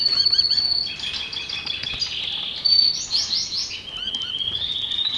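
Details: Belgian canary song made of quick chirps, short upward-curving notes and buzzy rolling trills, closing with a long steady high trill.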